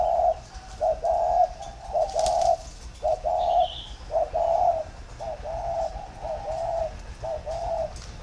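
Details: Spotted dove cooing in the warm 'thổ pha' style, a plain three-note 'cúc cù cu' coo. Steady mellow hoots run in repeated phrases with brief gaps, a short higher chirp intrudes midway, and there is light background hiss.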